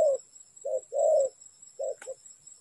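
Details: Spotted dove from a bird-trapping recording, giving a few muffled coos, a short note then a longer one, with a sharp click near the end and a constant high whine.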